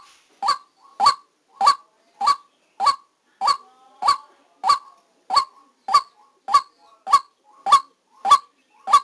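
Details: Evenly paced, nasal honking from a decoy white-breasted waterhen recorded during trapping in Vietnam, around fifteen rough calls in steady rhythm, each a short burst.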